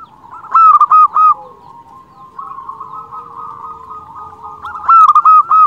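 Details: Loud staccato phrases from a local zebra dove, used as a lure for other zebra doves, open and close the recording; between them runs a long, steady, softer rolling coo with faint lower notes beneath.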